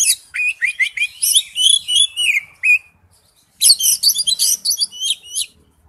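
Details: Lure song of an Oriental magpie-robin, a fast run of sharp, high chirps and whistled slurs in two long bursts split by a short silence.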